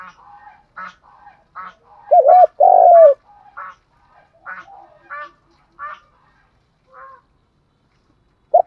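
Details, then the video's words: Spotted dove lure call in the thúc gù style: one loud, low, doubled-then-drawn coo phrase stands out among many soft, short, repeated calls, with another coo beginning at the very end. "Cu gay moi thuc gu cuc hay cu dat gay giong hay/ tiếng chim cu gáy kích bổi. giọng thúc gù"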